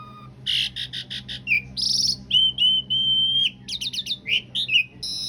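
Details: Master-recording song of an Asian pied starling for tutoring cage birds, rough-fill long-roll style, mixing rapid rattling bursts, buzzy notes and a sustained whistled tone before more rattles.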